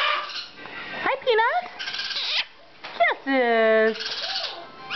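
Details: A Hahn's macaw (red-shouldered macaw) talks and makes kissing sounds, chattering in scratchy, rising and falling notes with a nasal, voice-like drawn-out tone, while a person greets it nearby.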